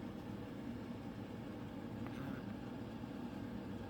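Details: Steady low engine-like rumble with no animal voice.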